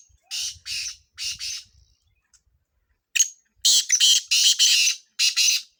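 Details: Sindh black francolin (kala tetar) heard during chakree training: two rasping call phrases separated by a pause, the first softer, the second louder and longer with six or seven grating bursts in quick succession.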